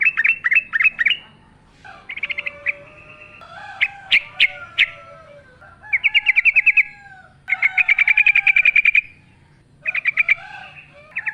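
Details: Yellow-vented bulbul singing vigorously in wild style with natural ambience, used as a lure: repeated bright chattering trills and sharp notes, interleaved with lower descending whistled slurs from other birds.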